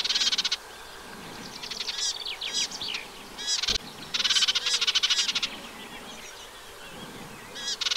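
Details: Eurasian reed warbler recorded on 15 June 2023 in a wet meadow by the Vilaine, upstream of the Arzal dam in Brittany, during nesting: two rattling, chattering phrases of quick repeated notes separated by sparser scratchy chips.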